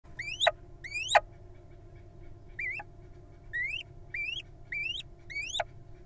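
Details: Wild little owl nestlings in a nest box, hatched in June: rising, whistled upslurred calls, each ending in a sharp drop, repeated irregularly about once a second, some calls louder and nearer.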